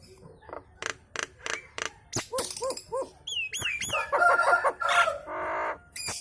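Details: Nias hill myna delivering kemrewek song with other birds calling along; spaced clicks lead into repeated looping whistled notes, then harsh nasal squawks and a grating drawn-out rasp.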